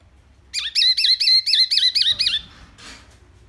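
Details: Wambi, a bird presented as a loud, clear singer with many sounds, giving a run of about seven wavering, wobbling whistled notes, followed by a brief faint rattle.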